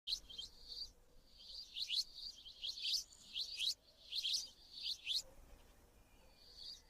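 A sparrow chirps in quick bursts of bright, high notes with brief pauses between them, over a faint low hum.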